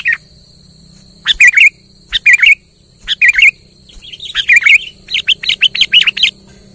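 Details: Sooty-headed bulbul in heavy song, aimed at a silent bird: short repeated phrases of two or three fluting, up-and-down whistles, becoming a faster string of chirps toward the end, over a low hum and steady high whine.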